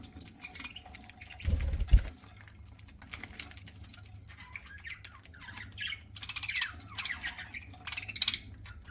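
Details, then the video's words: A low thump and rustle early on, then a budgie eating breaks into soft warbling chatter of quick rising and falling chirps, ending with a brief sharp squeak. "PARAKEET EATING SOUNDS"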